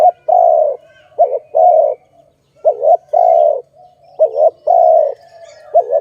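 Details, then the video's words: Low mellow cooing of a dove tied to bird trapping: a quick wavering note, then a long even note, repeated four times, with a faint hum between phrases. "Sound of good dove for letting altogether"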